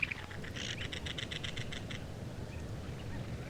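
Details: A cactus wren in the desert Southwest, recorded alongside Gambel's quail and ash-throated flycatcher, gives a fast run of about nine harsh, grating chug notes in under two seconds, over a steady low background rumble.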